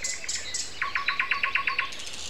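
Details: Common nightingale at 7:55 in the morning, Sunday, April 29, in a spring when singing started in mid-April; high thin notes lead into a loud, evenly spaced string of about ten rapid percussive notes.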